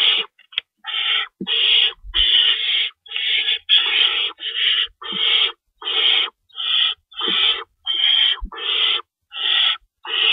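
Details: Owls at the nest at feeding time, recorded at 3:53 AM on March 25, 2012, with two rabbits in the pantry. About fifteen rasping, hissing bursts repeat roughly every half to three-quarters of a second, with faint soft thumps.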